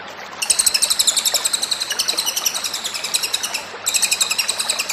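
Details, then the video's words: Loud, high-pitched rapid trilling from a cililin, recorded as a tutor song for other birds: a long run of quick bright notes, a brief pause near 3.8 seconds, then the trill resumes. "Masteran paling di cari, Burung Cililin gacor sadis"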